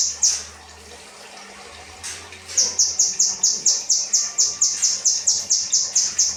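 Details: Kinoi 'rambatan' song as cage-bird training material: isolated sharp high notes with low hum at first, then from about two and a half seconds an unbroken rapid series of bright, slightly falling whistles.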